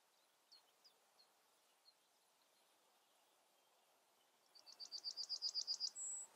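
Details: Yellowhammer song: some soft, scattered chirps, then a rapid series of about eleven high repeated notes that ends in a longer, drawn-out final note pitched higher still.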